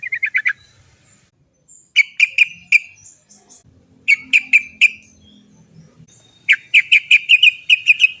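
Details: Sooty-headed bulbul 'cok cok cok' lure sound to get birds singing soon: three bursts of rapid, bright repeated chirps, each burst four to ten notes, separated by short pauses.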